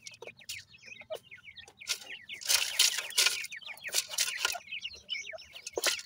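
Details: Francolin chicks with their family: thin, high, descending peeps repeated rapidly by several young birds, partly buried under loud rustling and scratching bursts.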